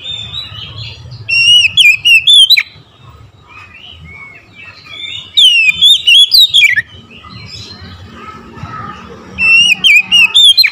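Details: Morning song of an Oriental magpie-robin: three loud phrases of clear, twisting whistles and quick slurred notes, spaced several seconds apart. Softer twittering fills the gaps between phrases.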